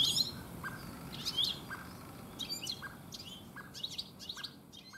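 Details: A European goldfinch sings in a garden in the late afternoon, bright tinkling twitters in quick, irregular bursts, with soft lower notes repeating beneath and a low outdoor rumble.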